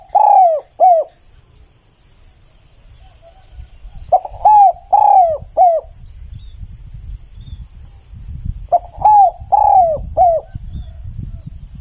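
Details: Spotted dove cooing three times in repeated four-note phrases, arching and falling, over a low rumbling background noise, in a recording meant for luring.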